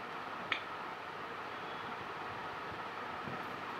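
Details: Steady broadband rumble and hiss like a running vehicle or fan, with a single sharp click near the start and no animal voice.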